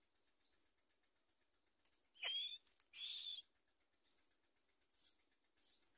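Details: Common myna young being fed by their mother give begging calls: a sharp squeal, then a loud harsh hissing rasp, with short high chirps and squeaks scattered around them.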